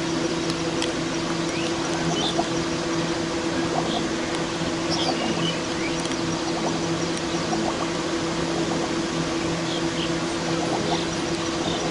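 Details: A steady rushing hiss with a low mechanical hum runs throughout, broken only by a few faint, indistinct ticks and no clear animal voice.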